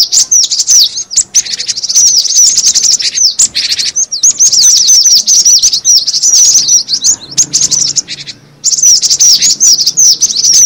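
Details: Lure recording of cinereous tit: long stretches of rapid, piercing, high chirps in overlapping bursts, broken by short gaps, energetic and chattering throughout.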